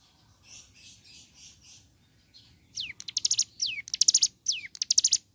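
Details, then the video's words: Ciblek gunung giving its morning song to encourage others to sing. Faint soft notes at first, then loud rapid rattles alternating with steeply falling whistles in the second half. "Suara Asli Ciblek Gunung Gacor Pagi Hari.Rangsang Emosi Cigun Manapun Agar Segera Bunyi"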